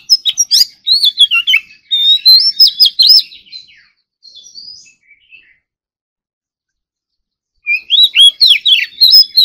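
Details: Oriental magpie-robin, a kept ornamental bird in morning singing practice and competition-style singing, full of varied filler phrases. Bursts of rich whistled and slurred notes, rising and falling sharply, in quick series, with a short quiet gap before another burst.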